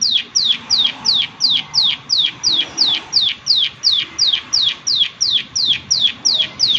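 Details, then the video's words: Prinia, the "klik klik" type, calling busily: a fast, steady series of sharp, downward-sweeping clicking notes, about three per second, running without a break over quiet background noise. "Prenjak Klik Klik Gacor"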